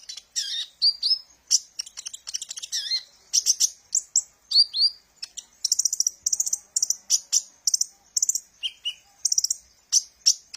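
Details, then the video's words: Sunbird known locally as kolibri ninja, used as a lure for training birds; dense high-pitched twittering of sharp chirps and short downslurred whistles, rapid bursts with brief pauses, clean background. "suara burung Kolibri ninja | suara pemikat burung"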